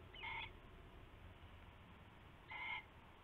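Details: Owl at night while a rabbit is regifted and taken, February 19, 2016; two short grating calls about two seconds apart, each under half a second, over low background rumble.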